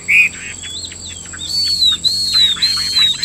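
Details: Caged Chinese hwamei from a Vietnamese dealer: one short loud chirp, a quiet pause with soft notes, then a clear high whistle repeated three times in arching, slightly falling strokes; faint electronic whine.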